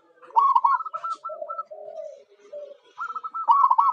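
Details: Local perkutut (zebra dove) lure song for attracting wild birds: a fast trilled coo phrase, then lower drawn-out coos, then another rapid trilled phrase.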